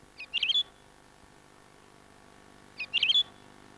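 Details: A Woodlark, a scarce breeding bird of southern British heathland and downland, gives two mellow, liquid, fluty calls of a few quick notes each, about two and a half seconds apart, over a quiet background.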